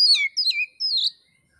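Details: Oriental magpie-robin from Indonesia, singing as training material for keepers: a fast, rich phrase of three slurred whistles, swooping and falling, the last one long and wavering, in clean quiet surroundings.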